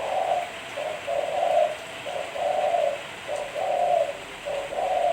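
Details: Spotted dove song, a clean recording meant as a lure for other doves: low, soft cooing notes in linked phrases, each a short lead-in followed by a longer, fuller coo, repeating steadily about once a second with no other sounds.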